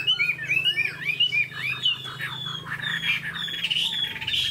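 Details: Caged, tame Chinese hwamei with a spread tail, kept as a songbird: a rapid string of looping whistled notes, sliding up and down and repeated almost twice a second, then thinner high whistles, over a low steady hum.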